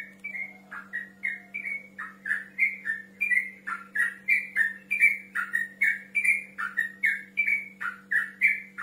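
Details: A male yellow-vented bulbul challenges a rival with a steady run of short, slurred whistled notes, roughly three each second and unbroken for nearly nine seconds, with a low hum underneath.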